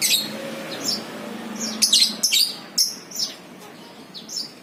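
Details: Lovebird recorded as a ngekek lure: scattered sharp, high, slightly sliding chirps, several in quick succession, with a faint low hum beneath.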